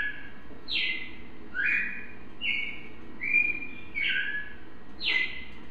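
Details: Captive red-crested cardinal from Brazil sings clear, bright whistled phrases, about one a second, with sharp downward slurs, over a low steady rumble.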